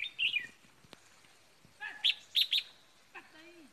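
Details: Captive red-whiskered bulbul kept as a decoy bird, heard around the Lunar New Year. It gives bright, chirpy whistled phrases: one short warble at the start, then a louder burst of three or four rapid ringing notes, with faint background noise.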